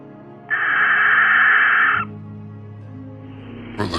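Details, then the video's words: British Barn Owl giving its territorial call, a loud, less melodic screech: one harsh, hissing scream lasting about a second and a half, then soft background music. "The call of a barn owl is less melodic and more of a loud screech."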